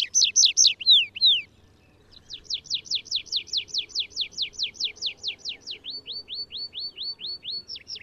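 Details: Atlantic canary singing: loud rapid descending whistled notes, a short pause, then a long even series of about twenty repeated sliding notes that shift into a slower run of softer upward-flicking notes.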